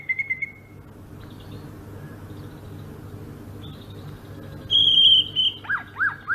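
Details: Greater green leafbird from Sumatra: short quick whistled notes, a quiet gap with faint buzzes, then a loud clear whistle followed by spaced, dipping warbled notes in its rolling ngerol style.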